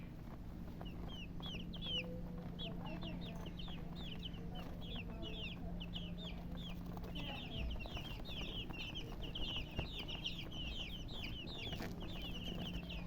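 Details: Chicks peeping: evenly spaced, short high whistles in the first half, turning into a denser, faster chatter of overlapping peeps later, over a steady low drone.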